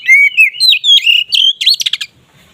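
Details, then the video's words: Kacer, the oriental magpie-robin, in ngeplong song meant to stir mating drive: a continuous run of clear, slurred whistles, rising and falling, ending in a quick series of sharp chattering notes. "Suara BURUNG KACER Ngeplong ini sangat ampuh untuk menaikan Birahi kacer"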